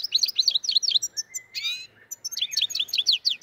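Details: A black-headed goldfinch, apparently from the Andijan–Kuva–Fergana area, sings a fast, tinkling twitter of high, bright notes, broken by a brief drawn-out buzzy trill midway.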